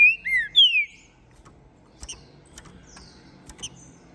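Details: Ringed, captive-bred green-winged saltator, trem bala line from Minas Gerais, singing after moult: the clip opens on a rich phrase of three or four descending slurred whistles, then sparse clicks and soft chirps.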